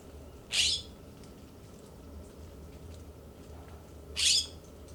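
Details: Immature California scrub jays in a yard in Pacific Grove, California, giving two short harsh raspy calls about three and a half seconds apart over steady background hiss.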